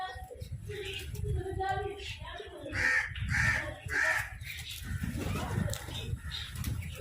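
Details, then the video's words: Crows fighting over food give three harsh caws, spaced about half a second apart, over a steady background of talking and low rumbling chatter. "Crows fight for Food | Crow Sound"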